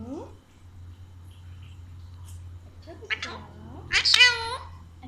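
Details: Pet Alexandrine parakeet chattering in Urdu/Hindi indoors: a short rising word, a quiet gap with a low steady hum, then a quick cluster of speech-like syllables ending in a louder, bright phrase.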